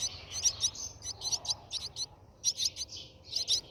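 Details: Brahminy starling at the nest during feeding: short bursts of high, squeaky chirps in groups, with a brief pause near the middle and a faint low hum beneath.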